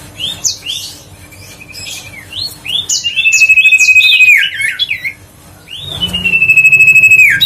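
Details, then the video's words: Lure song of a huyt co bird, meant to excite other birds into singing: scattered chirps and short whistles build into two long steady trilled whistles ending with a downward sweep, separated by a quiet gap. "tiếng chim huyt co siêu sang chảnh//giọng nói để tăng ham muốn chim huyt co"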